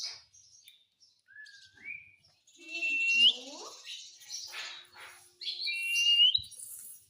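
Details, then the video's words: Talking Indian ringneck parakeet, a pet said to speak Hindi words such as "mummy" and "mitthu"; short rising whistles and harsh, voice-like squawky syllables with gliding tones, broken by pauses. "mummy mummy bolta tota - talking parrot"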